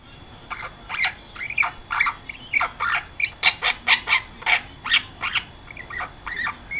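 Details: Twelve-week-old pet princess parrot giving a run of harsh, rasping squawks, repeated roughly twice a second, with a person speaking briefly afterward.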